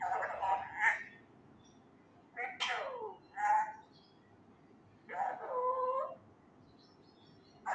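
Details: Loud attempts at human words from a male Indian ringneck parakeet learning Urdu phrases: four separate bursts of wavering, voice-like syllables with tonal warbles, spread over several seconds with quiet gaps between them.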